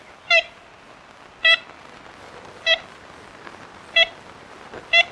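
Ivory-billed woodpecker giving short, nasal, tin-horn toots, one about every 1.2 seconds, over a steady faint hiss.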